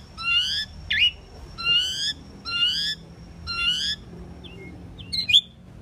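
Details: Common pied myna, also called Indian maina, singing: repeated bursts of rich harmonic notes with a short upswept whistle between them, ending in a few scattered chirps over faint low hum.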